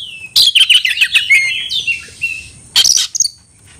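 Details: Oriental magpie-robin, kept as a songbird, calling to find a rival to fight, tail spread and singing hard: loud bursts of sharp chirps, whistled slurs and rapid trills, then a pause and a final harsh burst.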